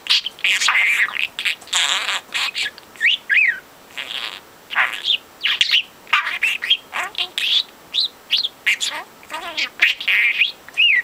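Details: Talkative four-month-old male pet budgie, chattering since two months of age and imitating overheard talk, keeps up a long, nearly continuous stream of buzzy babble and twisting whistled notes with short breaks.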